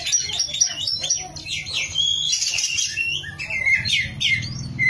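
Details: Energetic kacer song from an oriental magpie-robin: a tumbling mix of chirps, slurred whistles and harsh buzzy notes without pause, over low background droning.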